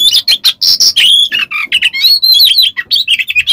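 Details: Oriental magpie-robin song played as a lure to provoke other magpie-robins into singing, a full repertoire of coarse "besetan" phrases: loud, rapid, varied whistles, slurred notes and harsh scratchy bursts tumbling without pause.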